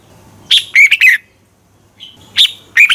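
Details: Red-whiskered bulbul singing in the morning, used for training and to provoke other bulbuls into competitive singing: two short bursts of bright, warbled whistled notes, each a quick cluster of three to four syllables, with a quiet background.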